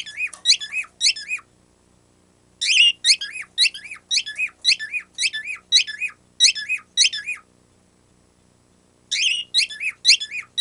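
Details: Caged pet bird giving its untaught squeaky-toy noise in three bursts: four high, wavering squeaks, then a longer string of about nine, then four again, with silence between bursts.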